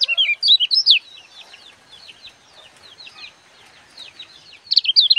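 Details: Gebokan song of the kecial kuning sunbird, for tutoring birds. Opens with a quick loud twitter, continues with softer repeated slurred chirps about four a second, then another loud twittering burst at the end.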